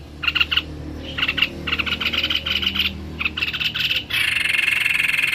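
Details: White-necked babbler in full song, delivering repeated groups of sharp, bright chirps in quick succession, ending in a steady, ringing buzzy trill; low hum underneath.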